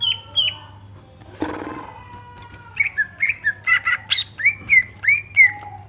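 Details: Greater green leafbird giving a varied song: two high whistled notes, a brief rustling noise, then a fast series of clear slurred whistles and sharp chips, with a low hum throughout.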